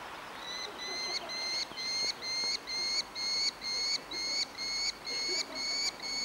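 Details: Begging Merlin fledgling at Engerdal on 4 July 2011, an orphan asking for food; loud, clear, shrill squealing notes, each rising slightly, repeated about twice a second, around eleven in a row, growing stronger.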